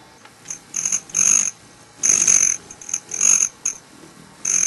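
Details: Broad-tailed hummingbirds at a sugar-water feeder, fighting and looking for a fight; shrill, high buzzing trills come in loud bursts of about half a second, separated by short quieter gaps.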